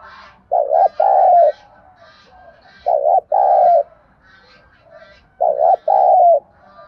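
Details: Spotted dove producing thúc gù coos used as a trapping lure and for decoy training: three deep two-note phrases, the second note longer and sliding down, spaced about 2.5 seconds apart, with light high chirping behind.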